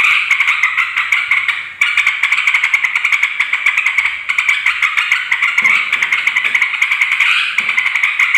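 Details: Noisy chatter of yellow-vented bulbul meant to lure wild females and males: continuous rapid, rattling notes with short clicks, one brief dip in loudness near two seconds.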